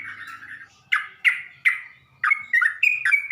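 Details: Sooty-headed bulbul song used as a lure to provoke other bulbuls: a low chattering phrase, then a run of short, bubbly, slurred notes, each starting with a sharp onset, with faint low hum beneath.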